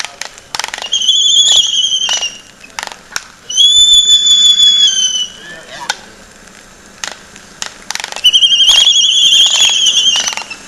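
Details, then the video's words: A Laysan albatross gives drawn-out, high whistled notes about a second long, amid sharp, rapid clacking bursts. "SOUND OF A LAYSAN ALBATROSS"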